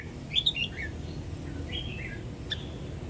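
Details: Caged Sông Kon red-whiskered bulbul from Quảng Nam sings in "ép giọng" style for young birds to learn. A few quick, high, sliding whistled notes open the phrase, then softer notes follow over a low background hum.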